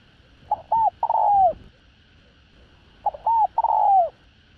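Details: Cooing from a pure field-type spotted dove with a voice suited to luring wild doves. Twice a short note and a bent coo run into a long, downward-curving coo, with a gap of about one and a half seconds between phrases.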